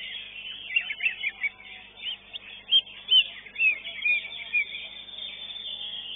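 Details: Greater green leafbird (cucak ijo) at a songbird contest arena in Indonesia, the bird that placed fourth; bright rapid whistled and chirping phrases, quick varied notes over a constant background of other contest birds.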